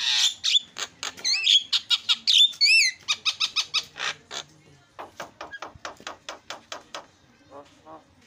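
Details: Starling song played to provoke silent starlings into song: rich opening whistles and wavering trills, then a quickening series of short clipped notes that fade.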